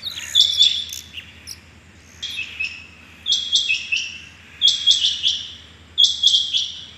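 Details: Rain quail calling on the morning of 6 July 2021: high, sharp, metallic phrases of two or three quick notes, repeated about every one to one and a half seconds, some phrases uneven in loudness.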